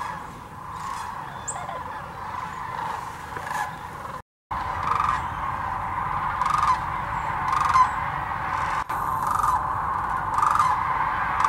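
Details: Thousands of migrating sandhill cranes at Hiwassee Wildlife Refuge, Birchwood, Tennessee, recorded on a GoPro Hero 9 or Canon Powershot: a dense, continuous chorus of rolling, rattling calls from the massed flock, rising and falling in waves, with two brief dropouts.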